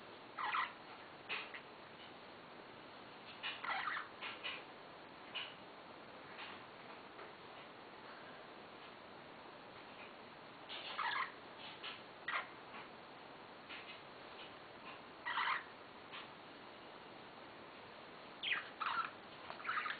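Budgerigars give short, scratchy chirps in scattered bursts against a soft background hiss.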